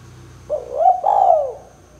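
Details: Spotted dove, Kuk 2 lure call for trapping: a rising coo that joins into a longer arched, falling coo, soft and low, over a faint background hum.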